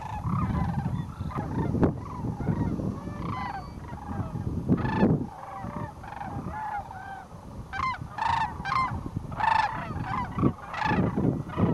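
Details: Sandhill cranes in winter at Whitewater Draw, Arizona, 2010, arriving by the thousands to roost between noon and 4 pm; a loud, rich chorus of rolling bugled calls, with several clear, close calls standing out near the end.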